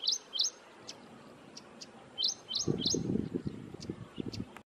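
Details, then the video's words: Ashy Prinia at Thommana Kole Wetlands gives high, sharp chirps in quick pairs with fainter ticks between them; a low rumbling noise comes in toward the end. "Ashy Prinia call"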